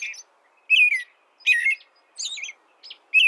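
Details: American robin delivering a few loud, clear, descending whistled phrases with quiet gaps between them.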